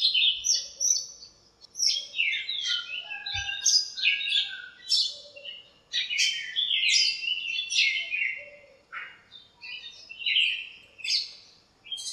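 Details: Many birds filling a backyard lemon tree on a cool sunny morning trade varied high chirps and twitters in overlapping bursts, the chatter rising and falling steadily, with a soft low thump near three seconds.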